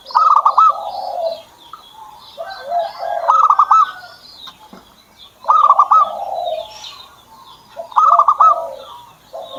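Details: Song of a kept zebra dove. A phrase of rapid, clipped stuttering notes slides into deeper rolling coos and repeats about every two and a half seconds, four times. Faint high chirping from other birds runs behind it.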